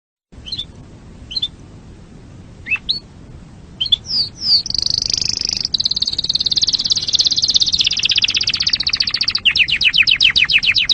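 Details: Canary singing, a popular Indonesian songbird: a few sparse chirps at first, then a long high rolling trill, ending in a fast series of sweeping notes over a steady low background hum.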